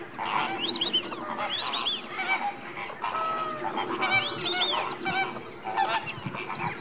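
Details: Slimbridge Greater Flamingos, January 2016, a captive flock stirring before roosting for the night: many birds honking together in repeated nasal, trumpeting calls, dense and overlapping over a constant low gabble.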